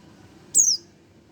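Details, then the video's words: A single thin, high downward-sliding chirp from a one-month-old Oriental white-eye, brief and clear against a quiet low hum. "burung pleci 1 bulan"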